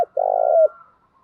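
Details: A single long spotted dove coo from a female decoy used to make males respond: a low, purring, even note that slides down at the end, followed by a faint thin tone.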